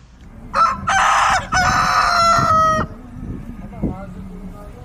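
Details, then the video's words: Loud rooster crow: a brief opening note, then two long, strained, sustained segments lasting about two seconds in all, followed by softer clucking and background rustle. "Rooster Crowing Loud"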